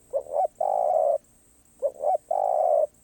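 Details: Cooing of a spotted dove in the karom pa roi style, off cue: two phrases, each a quick double hoot followed by a long, even, mellow croon.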